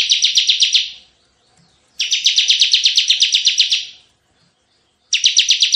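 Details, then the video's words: Bar-winged prinia, ciblek gacor, giving tembakan bursts meant for luring and training other birds: short, then longer, then short rapid buzzing trills of steady pulses separated by brief silences. "Masteran suara tembakan CIBLEK GACOR untuk pikat dan masteran"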